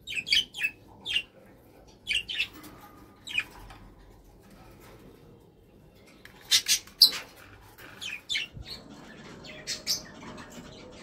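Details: Kakariki giving short, squeaky, high-pitched calls in scattered bursts, some closely doubled, with quiet gaps between and faint room noise underneath.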